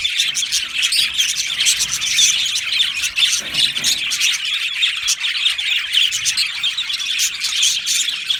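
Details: Budgie flock in an aviary with constant high chirping, interspersed with harsher squawky notes. Calls overlap densely and the level stays steady.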